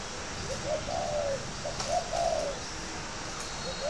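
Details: Spotted dove, a caged fighting bird in Ba Vì, Hanoi, Vietnam, gives two husky coo phrases, each a short note and a sustained falling coo, followed by the start of another.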